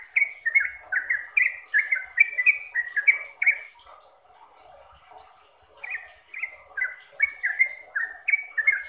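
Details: Sooty-headed bulbul song for training caged birds: a fast chain of chirpy, downward-sliding whistles, roughly two to three a second, a silent gap of about two seconds, then another rapid burst.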